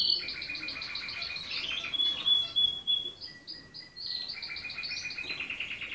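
A red canary sings a fast, varied song of rapid rattling trills and pure whistled notes, some long and level, at a high pitch.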